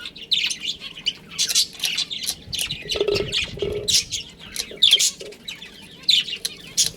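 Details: Colony of budgerigars, including a breeding pair, keeps up busy chattering: bright, clipped chirps and twittering bursts following one another quickly, with a low murmur underneath around the middle.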